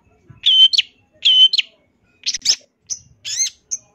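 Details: Champion long-tailed shrike fill-in song meant for tutoring: two buzzy whistled phrases with sharp end notes, then a pause and varied short chips and squeaky slurred notes.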